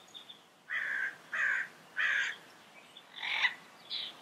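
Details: Wild yellow-headed parrot giving a run of four harsh, nasal squawks about half a second apart, followed by a softer call, with a hissing natural background.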